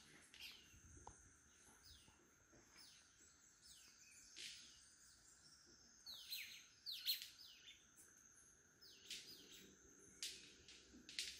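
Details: Several male White-collared Manakins at a lek in Costa Rica (Rancho Naturalista) performing their display: sharp, cracking wing snaps at irregular intervals with some brief chirps, over a steady high insect hum.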